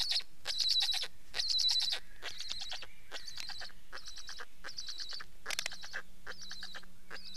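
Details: Repeated Black stork calls: chattering, squeaky bursts of rapid pulses, louder at first then softer, coming roughly once a second, with a faint steady low hum in the background.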